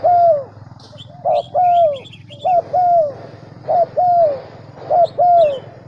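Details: Decoy dove calling to draw wild doves into cooing: steady pairs of notes, a brief clipped coo and then a longer sliding down-turned coo, repeated every second or so over a constant low hum and faint chirping.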